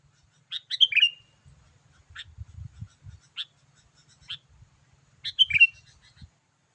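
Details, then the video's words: Sooty-headed bulbul in lively, continuous "gacor" calling used to lure wild birds: two bursts of bright, bubbling whistled phrases ending in a sliding note, about four seconds apart, with faint low rumbling between. "memikat burung kutilang dengan suarany yang gacor"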